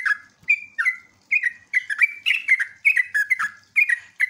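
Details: Sooty-headed bulbul lure song meant to make other bulbuls answer, in the ngeropel, ngecruk and nembak style: bubbly, chattering phrases of short slurred notes dipping and rising, repeated roughly every half second with brief gaps.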